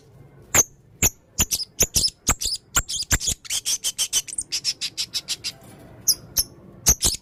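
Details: Male blue-crowned hanging parrot singing actively with a full repertoire: a long run of sharp, very high, thin notes in quick succession, speeding up in the middle and then spacing out toward the end.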